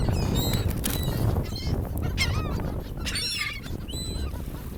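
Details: Seagulls at a sandy beach by the ocean, giving high harmonic squealing calls in quick, irregular bursts over a steady low roar of surf and wind.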